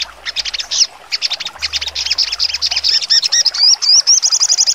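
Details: Sogon bird in full sharp trotol song: uneven bursts of high chips, then several looping whistled slurs, and a quick, even trill at the end.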